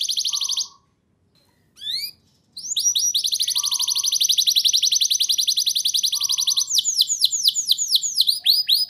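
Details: Canary lure song for training young birds to sing: high bursts broken by brief silences, then a long fast uniform trill ending in sweeping repeated slurs, with a faint low tone recurring.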